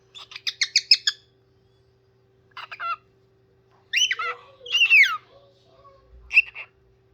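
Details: Parrot singing, mixing a rapid burst of chirps, a short buzzy phrase, two loud descending whistled squawks and a final short squawk, with pauses between and a faint electrical hum.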